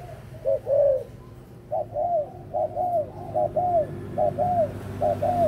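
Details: Adult spotted dove recorded 18 October 2021, cooing in a steady series: each phrase is a short low note followed by a longer, downward-slurred coo, repeated roughly every second over a low background hum.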